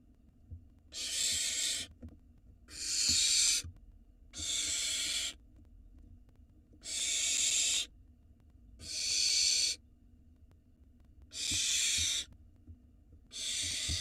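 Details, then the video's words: Nestling barn owls at a camera-watched nest in Israel hiss loudly for food delivered by their father, broad rasping screeches of about a second repeated seven times with short silent gaps. "Barn owl nestling go crazy when Dad brings nestlings for dinner"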